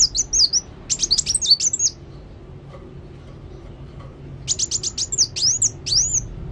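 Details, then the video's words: Sunbird called kolibri wulung in full song: two bursts of fast, high twittering with slurred whistles and sharp chips, separated by over two seconds of near silence. "Kolibri Wulung Gacor"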